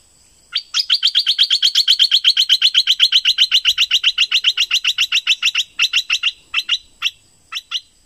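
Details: Thick-billed flowerpecker from southern Thailand, a recording used as a lure to draw in birds: a long rapid run of sharp, high ticking notes, about four per second, steady for around five seconds, then a few broken notes at the end.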